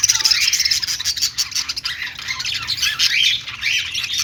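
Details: Budgies warbling happily, a dense, scratchy, high chattering of many birds with sharp squawky chirps throughout.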